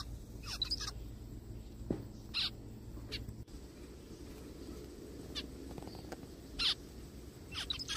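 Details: Zebra finch calls from a small bird found in the forest: isolated short nasal beeps every second or two, with a steady low background hum.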